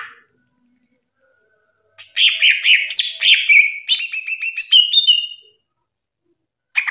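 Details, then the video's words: Green leafbird (cucak ijo) in gacor ngerplong song. After a pause, a dense scratchy warble of rising and falling notes gives way to quick, bright, stacked chips, then silence. "SUARA CUCAK IJO NGRPLONG GACOR"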